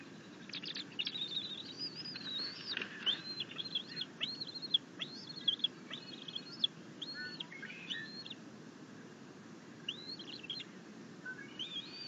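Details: Bald eagle nest on a camera feed, June 10, 2021, where the young eagle grabs a delivered rabbit and wants its father to leave; a run of high arched whistled notes repeats rapidly, then pauses, over low hiss.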